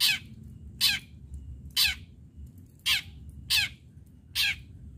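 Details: Long-tailed shrike calling in a sharp fighting style, meant to provoke other shrikes into singing. Harsh, raspy squawks about once a second, over low background rumble.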